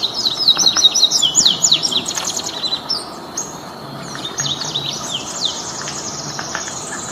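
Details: Wild double-collared seedeater, one of five singing free in nature: rapid series of high, downslurred whistled notes and twittering phrases, a pause, then another quick chattering run, with steady outdoor background hiss.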